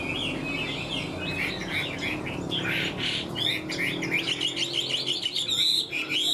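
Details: Chinese hwamei in a cage singing: repeated clear whistled phrases with quick upward and downward slurs, delivered in a lively, continuous run over a low hum.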